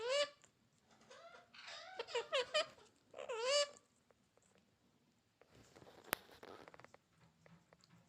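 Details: Talking rose-ringed (ringneck) parakeet in a burst of squeaky, warbling, speech-like phrases with rising and falling inflections, then a quieter stretch of faint rustling and tapping.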